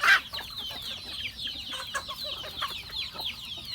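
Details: Farm chickens at feeding, giving many short, high cheeping notes that slide downward and overlap steadily. A brief loud burst opens the recording, followed by soft pecking taps and clicks.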